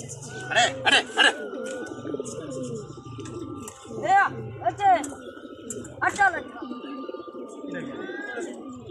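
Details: Kept pigeons cooing in their loft: low, rolling coos underneath, with loud arched bursts from other birds at intervals and a faint hum in the background.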